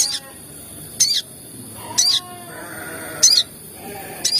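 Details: Crimson sunbird lure recording, played to stir other sogon birds into calling fast: sharp, very high chirps repeated roughly once a second, each a brief bright burst, with softer lower whistled notes in the background.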